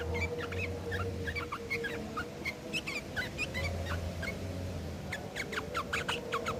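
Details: Sooty-headed bulbul fighting song played as a lure to make other bulbuls answer; short, sharp chirping notes repeated in quick bursts, with steady low hum and background noise throughout.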